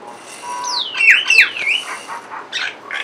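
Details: A pair of mynas perched on a window grill, calling: two loud whistled notes sweeping down steeply from high pitch, followed by softer scattered chirps and short buzzy notes, with a low background hum.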